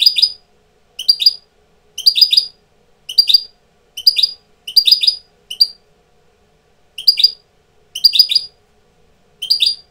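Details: European goldfinch tutor bird coming into breeding condition; bright high twittering phrases of clustered chirps, repeated roughly every second with brief pauses between.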